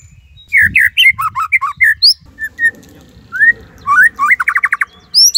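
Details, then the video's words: Energetic white-rumped shama song in the Cililin 'tembakan' style, a master recording for song tutoring: varied slurred whistles, rising glides and a fast run of sharp repeated notes near the end. "Murai Gacor !! tembakan Cililin Cocok Buat Masteran upgrad isian Murai"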